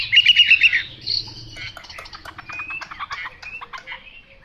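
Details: Chinese hwamei opening with a loud string of about six rhythmic, repeated whistled notes, then a softer jumble of quick chips and thin whistles.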